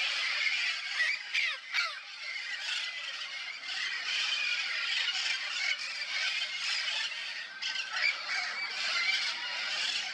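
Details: Wild Red-crowned Parrots in Texas keep up a dense, harsh chatter of overlapping squawks and screeches, several birds calling at once with no steady rhythm.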